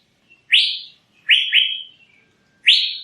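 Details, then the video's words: Asian fairy-bluebird song: three loud, sharply rising whistled notes, the middle one doubled into a quick pair, separated by short pauses in an otherwise quiet setting. "Burung Cucak Biru"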